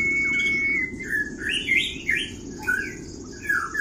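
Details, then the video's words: Oriental white-eye, kriwik-style tutor song meant to provoke rival birds: a long level whistle, then a burst of quick, bright chirps rising and falling in pitch, separated by short gaps, over a steady low hum. "Pleci Full kriwik Gacor Halus ❗❗mancing emosi lawan"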